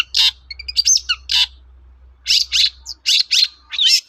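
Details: Long-tailed shrike singing as a lure for other shrikes to reply: scattered harsh, scratchy chirps with a few thin high whistled notes and short pauses between groups, over a faint low hum.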